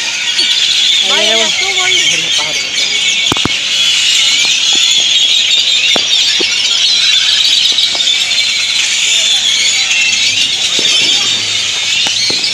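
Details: Large gathering of great-tailed grackles noisily settling to roost in Indian laurel trees, Granada, Nicaragua; a loud, steady roar of piercing squeals, whistles and chatter, with brief human voices and scattered sharp clicks.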